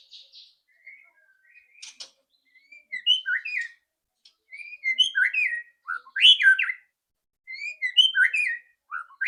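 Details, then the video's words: Loud rattling white-rumped shama song used as a prompt to start a bird singing. Soft scattered notes at first, then bold, fast whistled phrases with sharp slurs, delivered in clusters separated by brief pauses. "PANCINGAN MURAI BATU AGAR CEPAT BUNYI ketrekan keras murai batu"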